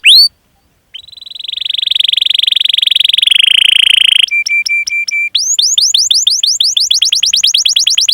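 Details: Canary master song for training: one sharp whistle, a pause, a long buzzy rolling trill, a run of flat level chips, then fast descending whistles speeding into a quick rattle.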